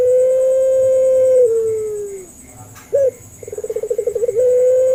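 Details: Puter dove pelung call played as a lure for doves slow to call. A long steady note drifts downward and tapers off. After a gap comes one brief arched note, then rapid throbbing coos that settle into a smooth sustained tone over a faint whine.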